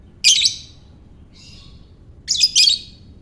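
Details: Shrill ngekek calls of a lovebird, meant to draw other lovebirds into song: a loud grating chirp burst, a faint softer note, then a longer rattling triple burst near the end.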